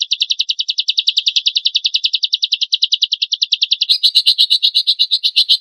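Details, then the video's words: Lovebird champion material used to provoke other lovebirds into song: a rapid, even stream of sharp chattering notes for nearly four seconds, then a harsher, broader and louder rasping burst to the end. "PANCINGAN AMPUH LOVEBIRD GACOR FULL ISIAN MASTERAN KOMPILASI MATERI TEMBAKAN KASAR BURUNG JUARA"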